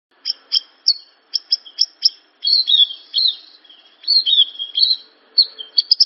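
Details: Javan bush lark (branjangan) song meant to prompt other branjangan to sing: sharp high chirps in quick bursts, then a run of warbled, rising and falling notes with short pauses, and closing rapid clipped chirps.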